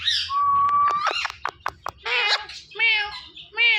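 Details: Talking Indian ringneck parrot, a green pet parrot, mimicking speech: a long flat whistle followed by quick clicking notes and harmonic, voice-like syllables, ending in two short spoken-sounding phrases.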